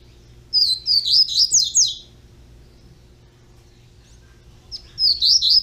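A young double-collared seedeater sings a quick phrase of high, slurred, chirping notes lasting about a second and a half, then repeats it after a pause over a faint low hum.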